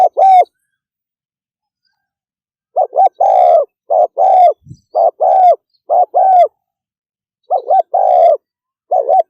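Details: Spotted dove in fast 'thúc gù' cooing: a lone coo, a two-second silence, then a quick series of hollow coo pairs with one faint low knock among them.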